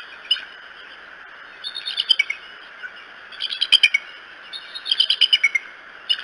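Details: Bald eagles at the Decorah nest on a May 13, 2018 morning: bursts of thin, high, rapid chittering calls in short series, separated by pauses, over steady background hiss.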